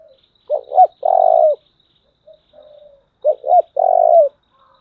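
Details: Spotted dove decoy in thổ voice, very strong. Two cooing phrases, each a pair of quick notes then a long falling coo, with a soft short coo between them.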